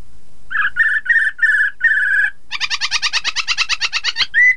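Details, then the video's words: Chinese hwamei (poksay mandarin) song, played to prompt rival birds to sing along: a few loud whistled notes, then a fast rattling run of repeated harsh phrases ending in a clear whistle. "Terapi poksay hongkong agar lawan ikutan bunyi || Poksay Mandarin"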